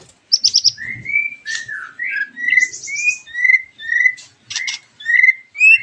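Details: White-rumped shama lure song: a high rapid trill, then evenly spaced clear rising whistles about one per second mixed with brief high chips.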